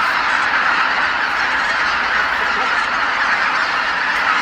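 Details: Huge flock of geese, tens of thousands strong, coming back to roost on Kabukuri-numa marsh at dusk; unbroken mass honking from countless birds, dense and even throughout.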